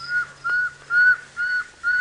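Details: Pearl-spotted owlet call played back during an evening safari drive in Sabi Sand, South Africa, on 30 July 2017: a build-up run of five clear, even whistles, about two per second, over a faint low hum.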